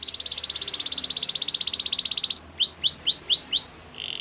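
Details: Canary song used for training other canaries: a long fast rattling trill near the top of the range, then five loud rising-falling swooping whistles and a short buzzy trill.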